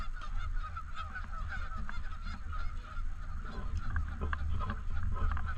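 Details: Canada geese on and around a lake in a park, a chorus of rough honks and short nasal notes that grow denser toward the end, over constant low wind noise.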